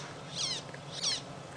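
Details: Magpie Shrike calling in the background while a family of warthogs feeds, on a sunset safari drive on 25 February 2017: two harsh, rasping bursts about 0.6 seconds apart over low steady bush noise.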